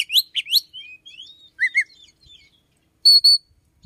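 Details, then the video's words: Oriental magpie-robin singing early, around 5 a.m.: a few sharp chirps and a paired whistled phrase, then a clear sustained two-part whistle. "chích chòe than hót buổi sáng."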